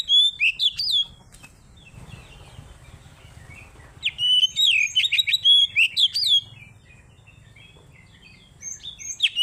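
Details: Oriental magpie-robin singing ngeplong, used as a lure to anger rival birds: bursts of loud, varied whistled and slurred notes separated by quieter stretches with faint softer warbling and low background hum.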